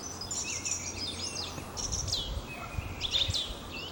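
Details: A song thrush in spring in an old oak forest near Sudak, Crimea, perched high in an ash and singing to mark its territory; varied whistled and sweeping phrases, some low rumble beneath.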